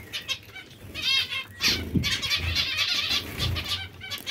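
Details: Zebra finches described as hungry: dense overlapping nasal, buzzy calls from several birds, nearly continuous through the second half, with soft wing flaps and low rumble beneath.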